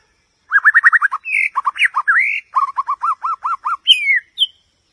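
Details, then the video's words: White-rumped shama song: a fast run of clear whistled, upslurred notes, then gliding whistles rising and falling, more quick repeated whistled notes, and a final descending slurred whistle. The background is quiet. "เสียงนกบินหลาดง, White-rumped shama Song."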